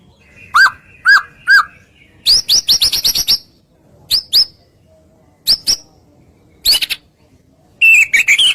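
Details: White-rumped shama song used to stir other shamas into singing; three sharp falling whistles, then clicking rattles and scattered short notes with pauses, closing in a twittering phrase.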